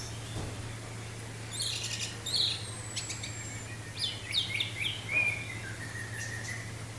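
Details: Orange-headed thrush singing in teler style, paired with wind sound as therapy: sparse high whistled phrases, one long slurred whistle and short bright twittering notes separated by pauses, over a steady low hum.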